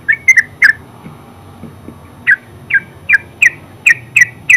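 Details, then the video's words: Yellow-vented bulbul (terucuk) in ngeropel song: a few quick chirps, a pause of over a second, then a steady series of short, down-slurred notes roughly every third of a second. "Terucuk full suara ngeropel"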